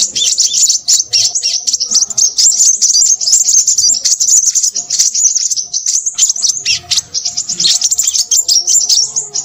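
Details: Crimson sunbird, sepah raja, in continuous rowdy song: nearly nine seconds of rapid, high, crackling chirps and trills with scarcely a break.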